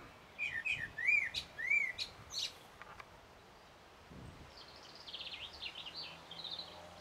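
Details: Common blackbird singing, recorded 1 June 2016 with a Sony HDR-PJ10E camera: a run of low, mellow fluted whistled phrases, each arching up and down, then a quieter, higher jingling twitter from another bird.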